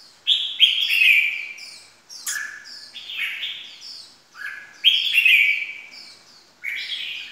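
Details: Red-whiskered bulbul call played as a trapping lure: loud slurred whistled phrases, each dropping in pitch, in bursts about every two seconds.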